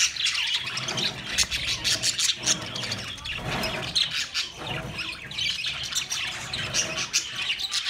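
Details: Budgerigars chirping and squawking on 13 March 2024 in rapid, overlapping bursts, with a deeper rumbling noise swelling underneath every second or so.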